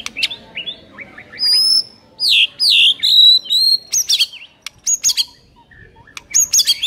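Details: White-rumped shama provoking song, sharp rapid-fire material for a sluggish bird: varied, very high whistles and chips in short loud bursts separated by brief gaps.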